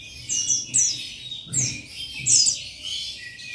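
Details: A male Oriental white-eye (buxtoni) calling to rivals, thin, high twittering bursts about every half-second to second, scratchy and sweet, with no other sounds.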